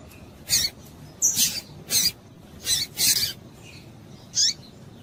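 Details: Female double-collared seedeater in breeding condition, calling to rouse males: six short, harsh high chips, a few doubled, scattered across five seconds over quiet background hiss.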